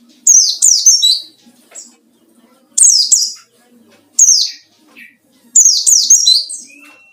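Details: White-eye with ngalas song used to provoke rivals: four bursts of bright, rapidly descending twittering notes, each group of two to three slurs, separated by one- to two-second silences.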